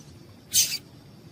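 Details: A yellow-bellied seedeater female gives one bright, high-pitched chip, slightly doubled at the end. The call is used to stir males to sing. Quiet low background hum.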